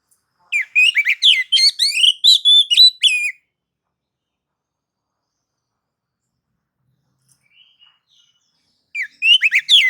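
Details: Oriental magpie-robin in ngobra and nagan style, sung to trigger other magpie-robins; a long, fast phrase of varied whistles and chirps, a long silence with faint notes, then a new phrase beginning.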